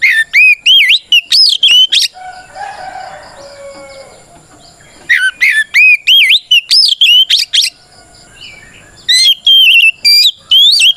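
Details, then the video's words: Oriental magpie-robin fighting song meant to goad other birds into answering: fast clusters of piercing whistles and upward-sweeping slurs, broken by a quieter stretch of soft chattering before the loud phrases resume twice. "Suara Burung kacer gacor NGEPLONG tarung ini paling ampuh buat PANCINGAN KACER agar EMOSI Nyaut"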